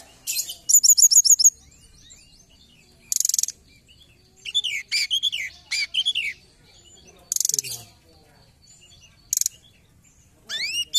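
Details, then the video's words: Forktail call played as a trapping lure: a rapid stuttering trill of high notes, short shrill buzzes, lower chattering notes mid-clip, and a final rising whistle, separated by brief silences. "Pancingan Ampuh Tledekan gunung"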